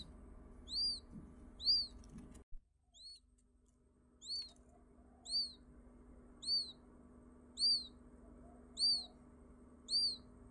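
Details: Newly hatched quail in India calling with a string of sharp, high arched peeps, about one per second, louder and steadier after a short break near the start, over faint low hum.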